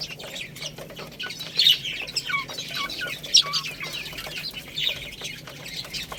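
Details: Baby chickens eating rice, keeping up a steady, busy chatter of thin, high peeps and short downward-slurred chirps from several birds at once, with soft clicks throughout.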